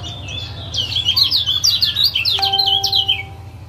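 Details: Lombok lemon-bellied white-eye male giving 'ciak ciak' calls, used to coax a quiet caged male back into singing: a rapid run of high, sharp, slurred chirps, roughly three per second, with a low steady hum beneath.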